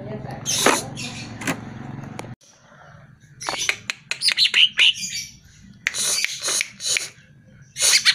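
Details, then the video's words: Greater green leafbird song played as a lure so caged birds answer and sing: harsh scratchy bursts and bright warbled chirps in loose clusters, with short quiet gaps between phrases. "Pancingan Suara Burung CUCAK IJO Dijamin NYAUT"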